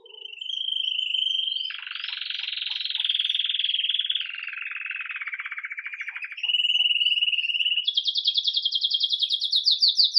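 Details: Live recording of a red mosaic agate Belgian canary singing 'Campainha' song as it starts the day: steady rolls at changing pitches, a wide buzzy section, then a bright, fast-pulsed high trill.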